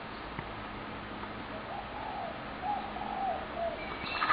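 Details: Many spotted doves, heavily fed near homes, calling almost continually from sunrise to sunset; a sequence of soft, slightly wavering coos through the middle of the clip over background hiss.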